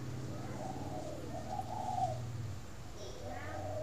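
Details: Spotted dove from a bird farm in Ba Vì, Hanoi, Vietnam, heard in the morning giving two drawn-out, soft, low coos, then a fainter third coo after a brief higher chirp, over constant low hum.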